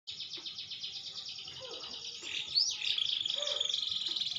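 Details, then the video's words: Green canary growing more mature, its song improving: a fast stream of high trills and sweeping notes, growing louder and more rapid toward the end. "burung kenari hijau makin dewasa wakin baik kicauan nya"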